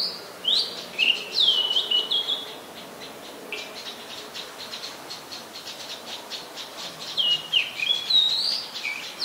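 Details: Common tailorbird, adult, a common resident of Ubon Ratchathani, Thailand, recorded 3 February 2023: bursts of piercing, wavering whistled notes at the start and end, with a long run of rapid rattling ticks in between.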